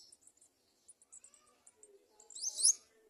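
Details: Garden sunbird chicks at the nest while parents push food into their throats; faint, very high thin chirps ticking at first, then a louder squeaky burst of sharp, rising twitters near the end.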